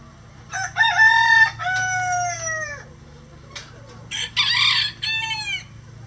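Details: Two crows from roosters on a farm keeping at least 20 standard and bantam breeds, which crow all day. The first is a long harmonic cock-a-doodle-doo with a drawn-out falling ending. A second, shorter, choppier crow follows after a brief pause.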